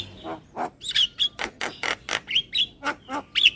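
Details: Javan myna super kenyih lure call: loud rasping squawks alternating with short high whistled notes in an irregular chattering rhythm.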